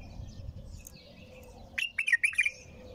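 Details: Bulbul singing nonstop. After a quiet start with soft low background noise, a short, clear phrase of warbled, slightly gurgling notes comes in quick succession, lasting under a second.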